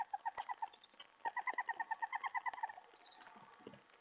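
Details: Owl at night, 3:10 AM on July 31, 2017, during a food delivery when a mouse is brought in: a rapid run of short, evenly pitched, harmonic notes, about three per second, then fading into softer scratchy sounds.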